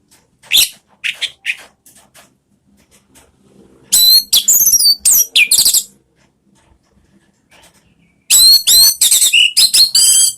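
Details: Orange-headed thrush, a kept songbird, singing in lure style used to prompt other caged birds to sing loudly: short high sharp notes, then two dense bursts of rapid whistled and chattering phrases separated by quiet pauses.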